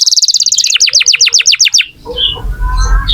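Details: Vigorously singing canary, used as a lure to prompt young or silent canaries to sing: a fast tour of rapidly repeated high chirped syllables for about two seconds, then a few faint scattered notes over low background noise.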